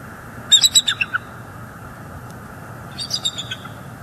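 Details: Bald eagles at a northeast Florida nest live cam on 18 December 2022, an adult female chasing off juveniles: a burst of about seven high, thin chittering notes stepping downward, then a shorter chittering burst two seconds later over low background hum.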